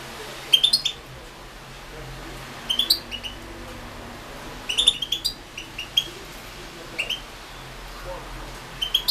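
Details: Goldfinch from the 2016 internet World Championship in Goldfinch Song. Short clusters of high chirps and twitters recur every two seconds or so over a steady background hiss.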